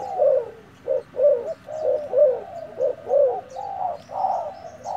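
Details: Untamed decoy spotted dove, newly arrived, fighting with clear low coos in regular pulses roughly once a second, some notes doubled, light twittering of small birds overhead.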